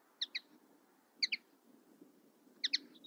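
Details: Common linnet: three brief clusters of two or three bright chipping notes, roughly one per second, with a thin trailing note at the end; low hum beneath.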